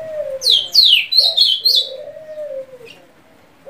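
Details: Ultramarine grosbeak (azulão) from Simão Dias, Sergipe, Brazil, giving a quick phrase of high, sharply falling whistles followed by slurred warbled notes, over a low, steady cooing from a dove.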